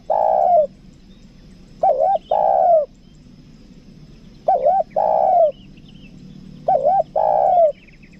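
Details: Lure spotted dove with a 'kuk dua' voice cooing four phrases roughly every two and a half seconds, each a rippling double note leading into a longer falling coo, with faint high chirps in the background.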